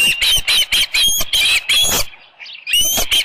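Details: Osprey at its nest at Dunrovin Ranch, 24 July 2018, about 6:52 AM, with a headless fish. A rapid series of sharp, high whistled chirps, about eight in two seconds, then a short pause and more chirps.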